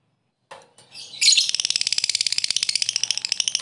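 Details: Lovebird ngekek fighter trill meant to provoke rivals: after a brief squeak, a fast, dense, high chattering trill starts and continues steadily for over two seconds.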